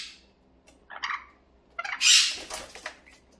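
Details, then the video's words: Pet parrot at home making noise. A couple of short rasping calls, then one loud, harsh screech lasting about half a second, with a low background hum. "앵무새 소음편"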